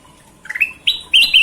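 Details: Golden-vented bulbul in lively song recorded as a training recording: a short phrase of soft rising notes, then bright, loud, slightly warbled whistles that hold steady, all within under two seconds.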